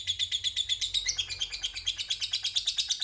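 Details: Lovebird's long ngekek, a lure meant to make rival birds call back: a continuous, rapid, harsh chatter of short notes, roughly six per second, running evenly throughout over a faint low hum.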